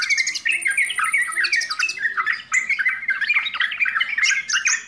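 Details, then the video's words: Yellow-vented bulbul chattering nonstop and noisily, with bubbly, liquid phrases tumbling over one another and sharp higher whistles mixed in, like a busy chorus. "TRUCUKAN RIBUT"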